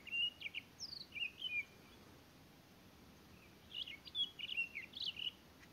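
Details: Townsend's solitaire recorded at Elena Gallegos, giving rapid runs of sweet, jumbled high notes with sharp upslurs, one burst at the start and a longer tumbling series after a brief quiet gap, against a soft background hiss.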